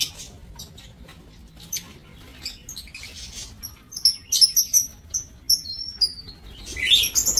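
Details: Aviary lovebirds, 5 July 2024: thin high chirps and whistled tweets, first sparse, then quickening into a rapid series of short notes before a harsher burst at the end.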